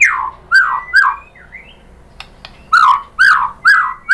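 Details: White-rumped shama song played to provoke a caged shama into answering: loud, rich downslurred whistles repeated roughly every half second, with a short rising whistle and a few sharp clicks in a pause.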